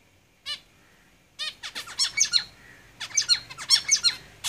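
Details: Caged zebra finches singing: short nasal beeping notes, then bursts of rapid, stacked buzzy chirps and squeaky toots in irregular clusters, several birds overlapping in quick succession.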